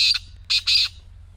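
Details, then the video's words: Short burst from a black francolin, the call meant to set a silent partridge calling: three hoarse, buzzy notes, one clipped and two longer, against near silence. "خوبصورت نظارے اور کالے تیتر کی مدھر بولی | اب خاموش تیتر بھی بولے گا/ Black Teetar Voice"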